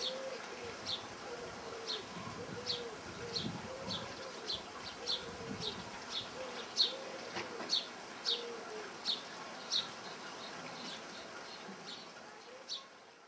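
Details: A linnet in a tree in June 2009 gives short, sharp high chirps about twice a second, with a low, soft cooing like a dove's underneath.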